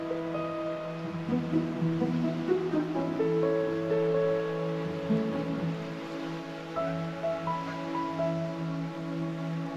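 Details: Soft, calm instrumental music with sustained layered tones and gentle plucked notes, and a faint wash like surf or rain beneath; no animal voices.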